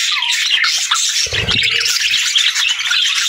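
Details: Budgerigars chirping and singing together, an unbroken flock warble of rapid twittering and squeaky notes, plus a short low thud partway through.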